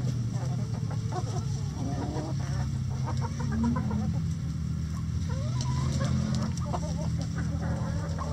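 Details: Hens in a chicken coop giving rapid, stuttering clucks in short bursts, several birds overlapping, against a constant low droning background.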